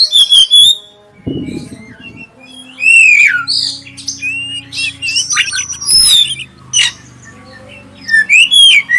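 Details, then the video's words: Clear-voiced oriental magpie-robin, black-breasted form, singing to draw other magpie-robins into song: rich phrases of sharp whistles, quick twitters and scratchy notes in bursts with gaps, a brief rustling noise early on, and a low steady background hum. "suara pancingan kacer dada hitam suara jernih"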